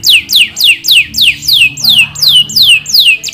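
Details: Persistent canary song noted for long rolls and unique 'shots'. Ten loud downward-swooping whistles repeat evenly about three per second, each sliding from very high to mid pitch.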